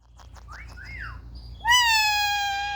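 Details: Pet Indian ringneck parrots at play, recorded by phone: two soft arched whistles, then a sudden long, steady, loud nasal screech held for over a second.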